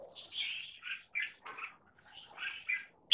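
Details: Trained red-whiskered bulbul, a frequent singer in a double-note marathon style that links six short songs into one long song. Soft, scattered warbled phrases with short gaps.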